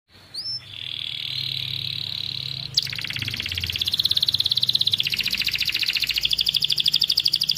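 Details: Canary in strong song, used to get silent canaries singing: two quick rising notes, a long steady whistled tone, then a loud, rapid, rattling high trill that wavers slightly in pitch and runs on.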